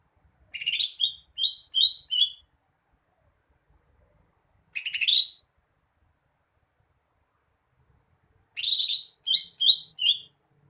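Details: Song of a greater green leafbird: three bursts of rich, upslurred whistled notes, the first and last of four to five quick notes, the middle a single note, separated by several seconds of silence.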